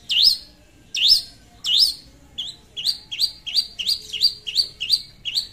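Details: Long-tailed shrike song used to lure a rival: three loud rising whistles, then a quickening string of shorter upswept notes repeated in rapid succession.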